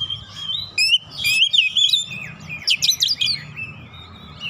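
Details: Oriental magpie-robin singing as a provoking lure: a short run of mixed whistles, buzzy notes and rapid chirps over a steady low rumble and some background hiss.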